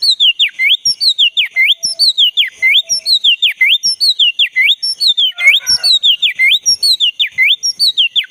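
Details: Forest recording of a black-breasted Oriental magpie-robin in full song, used to get a silent caged bird singing again; clear rising-and-falling whistles repeated steadily about once a second, with a brief burst of scratchy notes midway.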